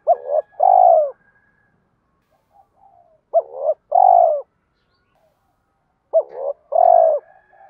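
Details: Three mellow cooing phrases of a spotted dove, played to stimulate other doves to coo. They come about three seconds apart, each a short rising hoot, a slurred note, then a long, full, falling coo.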